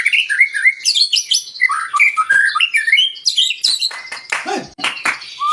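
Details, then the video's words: White-rumped shama song, used to provoke other birds to sing: rich varied phrases of fluty whistles and quick chirps, high twittering trills and a few harsh notes, delivered continuously without pause. "Pancingan murai batu 🔥 Naikan emosi burung auto ikut gacor"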